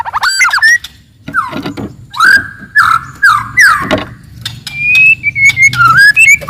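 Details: Aggressive forest white-rumped shama song, clear and loud, used to work up a rival: a series of short, falling whistled phrases about once a second, then a sustained, slightly wavering high whistle.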